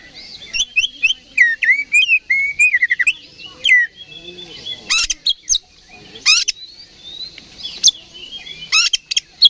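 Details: Oriental magpie-robin in fighting mood, singing to provoke an opponent. A fast jumble of twittering and warbled whistles, then loud harsh rasping bursts spaced a second or two apart and closing scratchy chatter.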